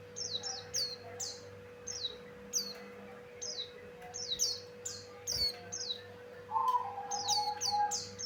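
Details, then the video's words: Buxtoni white-eye from Java singing as a lure: bursts of high falling whistled notes in pairs and triplets, denser toward the end, where a lower wavering tone joins them, steady mains hum behind. "Suara Burung pleci Buxtoni Cocok Untuk Pancingan"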